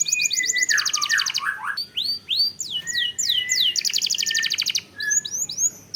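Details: Long-rolling canary song meant to stir caged canaries into singing: fast mechanical trills, a descending run of slurred mid-pitched notes, then repeated rising and falling whistled sweeps and another extended trill.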